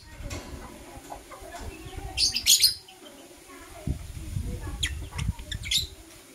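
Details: Kissing Blue Opaline and Euwing Opaline lovebirds in the morning: a burst of shrill squeaky chirps mid-way and a few thinner high notes later, over a steady low rumbling and shuffling background.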